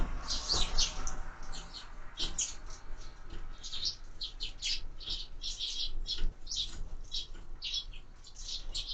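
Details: Sparrows at window-mounted feeders chirp steadily in short high bursts every half second or so, fairly quiet, with a faint background hiss and soft taps.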